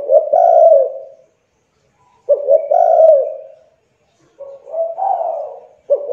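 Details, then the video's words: Spotted dove, a young lure bird for prompting silent doves; low mellow coo phrases about every two seconds, each a clipped double note then a long, slightly falling coo, the last phrase softer. "TEKUKUR MACET , MALAS BUNYI, MUDA, CULHU COBA PANCING DENGAN TEKUKUR INI AGAR CEPAT BUNYI"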